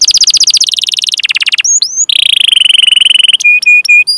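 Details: Varied canary rolling song used as a lure for young, untrained or silent canaries. Rapid buzzy trills change speed and pitch, broken by quick rising whistles, ending in clipped, evenly spaced high notes.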